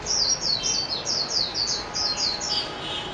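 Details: Mejiro (Japanese white-eye) singing a steady series of high, downward-slurring whistled notes, roughly three per second, over a soft constant background hiss.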